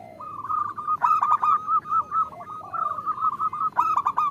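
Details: Female zebra dove calling to the male, used to lure lazy local males into singing: a steady, rapid series of soft cooing notes on one pitch, with faint lower sounds behind.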